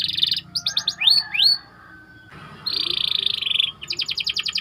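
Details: Training-bait song of a white canary: a buzzy trill, then looping whistled slurs, a short pause, a long buzzing roll and a fast rattling trill.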